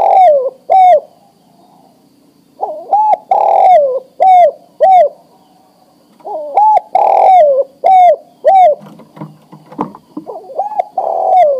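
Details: Male spotted dove at breeding age calling a female to mate: a busy run of short hooked cooing notes mixed with longer wavering coos, repeated quickly over about eleven seconds, brief low rumble near the end.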